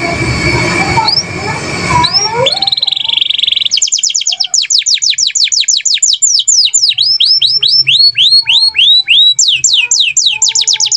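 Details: Canary singing gacor style in Indonesia; opening seconds masked by loud broadband noise, then a buzzy trill and a long run of quick high downslurred whistles.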